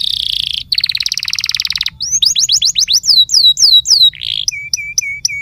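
A canary sings a rapid rolling trill, then a run of bright descending whistled slurs and short high notes, with faint low background hum.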